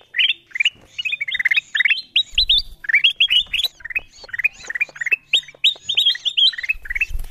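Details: Bulbul lure sound for attracting wild birds, with a dense stream of bright, slurred chirps, some descending in quick cascades, others rising, with occasional low thuds.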